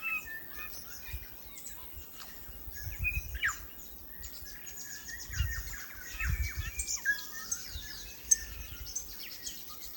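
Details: New Zealand bellbird (korimako) in native forest, singing clear, chiming whistles and quick liquid notes, overlapping with other birdsong, over a low rumble of wind.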